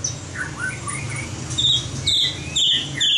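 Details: White-rumped shama competition singing used in training: a few soft slurred whistles, then loud sharp high notes repeated about every half second.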